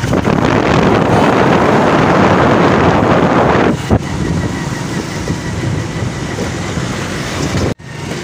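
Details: Loud broadband wind and vehicle-like roar in a village setting, easing after a few seconds and cut by a sudden dropout near the end; no animal sounds are heard.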